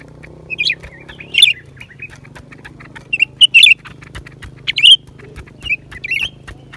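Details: Lesser green leafbird song, January 2023. A lively series of sharp whistled and scratchy slurred phrases, several loud twisting notes spaced about a second apart, with a low continuous hum behind.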